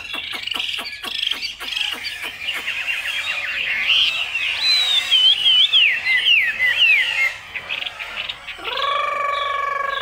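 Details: Caged Chinese hwamei in Vietnam, 'cao cầu' singing: a run of sharp clicking notes speeding up, then a tumbling series of zigzag whistles, ending as a loud harmonic crow-like call from another bird takes over.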